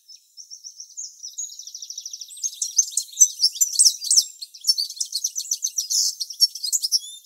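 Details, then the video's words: Male European goldfinch singing in the morning a few tens of metres from the nest where the female incubates; a few thin high whistles open into a rapid, tinkling, buzzy twitter of very high notes. "Pendant que la femelle couve ,le mâle chante à quelques dizaines de mètres ."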